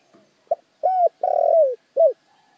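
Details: Spotted dove singing as a decoy to excite wild doves. It gives a single phrase of low coos: a quick note, a brief coo, a long burry descending coo and a short closing note, with faint other bird notes around it.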